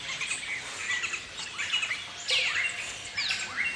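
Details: Galah, the rose-breasted cockatoo of Australia, giving harsh, falling screechy notes in quick bursts, the loudest strokes coming past the middle, over a busy background of other high chirps and faint outdoor noise.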